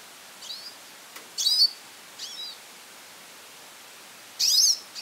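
Goldfinch giving short, high, twittering calls in five brief bursts, some sliding down in pitch, spaced about a second apart over a faint hiss.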